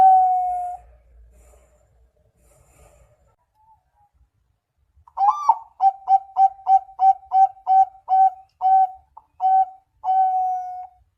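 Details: Zebra dove singing: one drawn-out coo, a pause, then a rapid string of about a dozen short staccato coos ending in a longer held note.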